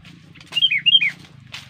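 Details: A female sooty-headed bulbul, described as aggressive, gives a short phrase of four clear whistled notes in two paired dips, bright and fluty, ending with a brief rustle over faint low hum.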